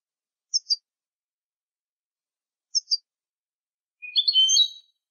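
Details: European goldfinch song from a recording made for training young goldfinches: two short high double chirps, then a quick burst of bright, jumbled twittering near the end. Nothing else is audible.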